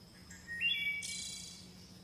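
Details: Chickadee calls: a few thin, high notes, then a short, harsh, buzzy burst, over a faint low hum.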